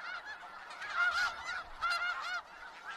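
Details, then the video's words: Snow geese of Skagit Valley calling as a flock: a few clear, loud nasal honks stand out over softer background gabbling, two strong calls about a second apart. "Sounds of Snow Geese"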